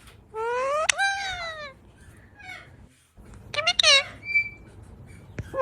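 A rose-ringed parakeet gives a drawn-out, voice-like squawk that rises then slides down, then a shorter burst and a thin high whistle, all in a quiet indoor room.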